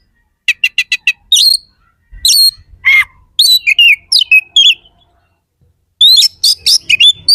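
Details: Very vocal kacer, or oriental magpie-robin, opens with five quick clicking notes. Varied whistled, chirped and slightly harsh phrases follow, then a short silence, then another fast burst of sharp sliding notes.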